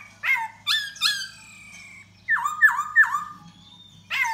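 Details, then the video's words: Laughingthrush (khướu da bò) courting a female with song and dance: three sharp downslurred calls, a long level whistle, then three loud looping whistles and a final sharp note, separated by brief pauses. "Khướu Da Bò Hót Múa Dzụ Mái"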